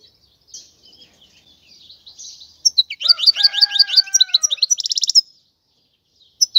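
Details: After a soft, scratchy start, a European goldfinch bursts into quick, repeated downslurred chirps over steady tones, closing with a buzzy trill.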